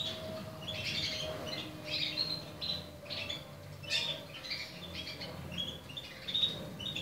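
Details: Portuguese harlequin canary chicks (finding: Belgian canary) give raspy, high, squeaky calls in short bursts about once a second over a low, steady hum.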